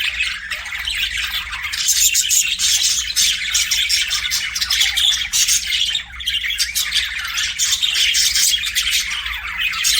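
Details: Pet budgerigars chirping in a dense, continuous chatter of squawky, scratchy notes and rapid high twitters, several birds overlapping with hardly a pause through the whole stretch.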